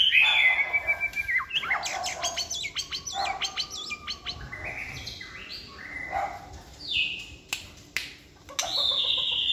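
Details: Captive white-rumped shama kept for sale in Vietnam, singing in many voices: a clear whistled opening, then a varied run of rising and falling whistles, quick chirps and buzzy notes with short pauses, ending in high whistled phrases.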